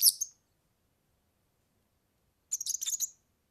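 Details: European serin song, offered for tutoring young birds: a brief, very high jingling burst at the start, then after a long silence a quick, tinkling, chittering phrase lasting under a second; no other sounds.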